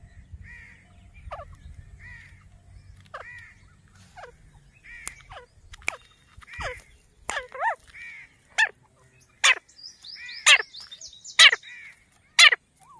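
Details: Grey francolin in grassland calling with a series of high, hooked notes about once a second, growing louder into sharp, harsh cries; a low rumble at the start.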